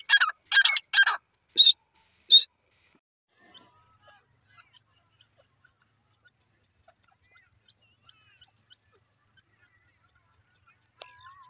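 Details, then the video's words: Morning call of a kept desi teetar francolin: five loud, harsh, grating notes in quick succession over two and a half seconds, then near silence with a few faint ticks and a short thin sound at the end. "my desi teeter bird ki beautiful sound"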